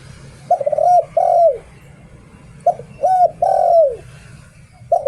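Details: Spotted dove kept as a decoy bird, singing in the 'Liu Tan' style: phrases of low hollow coos, two clipped notes then a longer coo sliding downward, a new phrase starting about every two seconds over a steady low hum.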